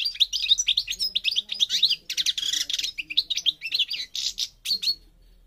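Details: North African goldfinch of the parva form, Morocco, pouring out a dense, lively song: rapid liquid twitters, trills and buzzy notes strung together without a break for over five seconds, bright and high.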